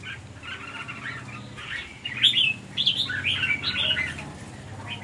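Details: Red-whiskered bulbuls fighting and pecking each other fiercely over food, recorded 16 January 2023 in Hòa Bình, Vietnam: a jumble of harsh, chattering and bubbly notes, several birds calling over one another, with a low hum beneath.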